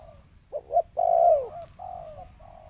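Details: Spotted dove giving thổ sấm style cooing, recorded 2020: two short clipped coos followed by a long, drawn-out, slightly falling coo and a softer trailing note, low and mellow, over faint steady background hum.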